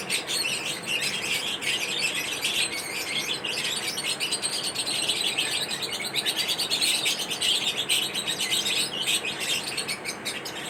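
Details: Pet lovebirds chirping while eating corn at feeding time; dense, continuous high twittering with rapid overlapping chirps from several birds, no pauses throughout.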